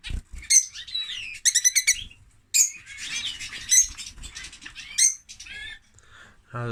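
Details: Male lovebird singing: a busy stream of high, shrill chirps, squeaky whistled slides and buzzy screeches, with a burst of rapid stacked clicks near the start, pausing briefly between phrases; a short low thump closes the recording.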